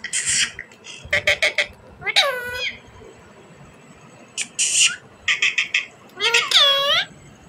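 An Indian ringneck parrot talks in short, speech-like bursts: clipped syllables and a few drawn-out, bending notes, some almost meow-like, in groups separated by brief pauses.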